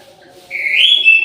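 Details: Orange-headed thrush singing at midday in an aviary: after a quiet start, one clear whistled note that climbs and wavers, held for most of a second, ending on a slight upward flick.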